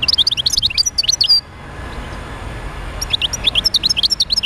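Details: European goldfinch song for stimulating other goldfinches to sing: a lively, high-pitched twittering phrase of quick bouncing notes, a brief pause, then another fast twittering run.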